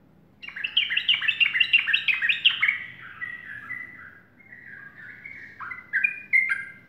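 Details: Morning song of a sooty-headed bulbul, a lively run of rapid chirping notes that slows into lower, drawn-out warbled whistles, ending with two bright upward flourishes; faint low rumble underneath.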